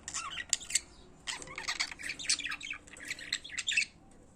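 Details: Singing pet budgerigars give rapid, high chattering warbles, clusters of sharp chirps and buzzy notes running almost without a break through a few seconds.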